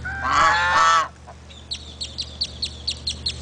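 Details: Geese at Big Cypress give one long, raucous honk, followed by a run of short, high chirping notes repeated evenly about three times a second.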